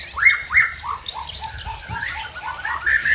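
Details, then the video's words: White-rumped shama from Tangse, Aceh, showing off its learned song repertoire: a rapid run of varied slurred whistles, several rising and falling sharply, delivered nearly continuously with faint low background rumble. "Murai Aceh Asal Tangse Bongkar Isian"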